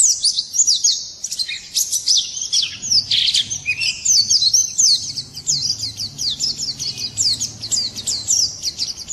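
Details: Morning song of a white-eye, a long, hurried stream of very high, thin chirps and twittering trills, with a brief denser burst near the middle and a steady pulsing chatter after it.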